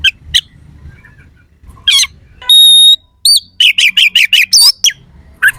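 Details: Oriental magpie-robin song of sharp "isian kasar" fill-ins to agitate rival kacer: isolated rasps, one long flat whistle, then a fast burst of rising looped notes.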